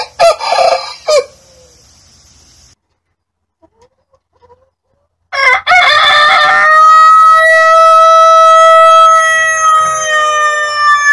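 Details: A rooster crow ends at the start, followed by near silence. A second full crow begins with rough, stuttering notes and then holds a long, loud, clear harmonic tone for about five seconds.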